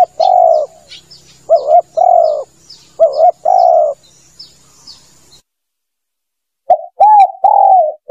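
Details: Spotted dove cooing as a lure call: several quick double coos and long falling coos, with high chirps from other birds at first, then a brief silence before further coos resume.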